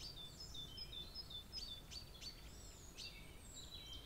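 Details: At a bird feeder, 25 March 2022, a brambling gives a busy string of short high whistled notes with quick sharp chips between them, some notes sliding down, against constant low noise.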